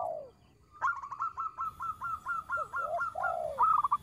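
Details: Local Indonesian zebra dove used as a lure, singing with a small voice. One falling coo is followed by a brisk train of short repeated notes, then several arched coos and a final burst of rapid notes.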